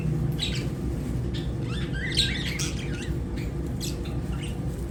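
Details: Short, shrill lovebird chirps come in a loose series, with one brighter squawking burst near the middle, all set against a continuous low humming background.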